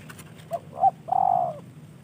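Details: Spotted dove, a hand-tamed kept bird received as a gift from a fellow hobbyist, gives two short soft notes followed by a longer, steady, slightly falling coo, against a low background hum.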